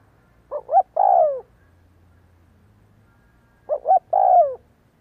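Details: Spotted dove used as a decoy bird, cooing all day: two evenly paced three-note coos about three seconds apart, two short rising notes leading into a long descending one, with a low faint drone between them.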